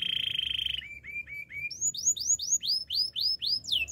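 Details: Canary singing for training other canaries: a fast buzzy trill, then short flat whistles, then a series of rising-falling sweeping whistled notes repeated about twice a second.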